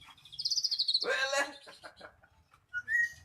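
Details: Magpie-robin lure recording meant to make quiet birds sing: a high rapid chattering run followed by a loud harsh buzzy burst, then a short clear whistle.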